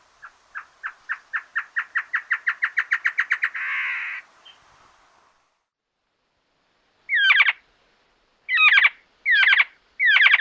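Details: Giant Antshrike from Argentina: an accelerating run of resonant notes ending in a rough, buzzy rattle, followed after a pause by several loud, harsh, crow-like calls.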